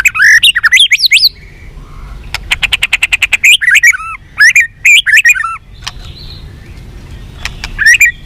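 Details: White-rumped shama song, used to make captive birds more responsive and eager to fight: loud, varied phrases of clear whistles with sharp rising and falling notes, a fast burst of rapid clicks, and scattered short chirps with pauses between.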